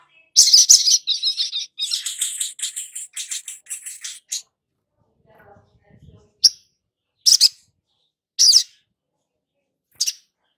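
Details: Long-billed spiderhunter calling on a lure recording made to get untrained birds singing often. About four seconds of dense, scratchy, high chatter is followed by a brief faint murmur, then four sharp high chips spaced about a second apart.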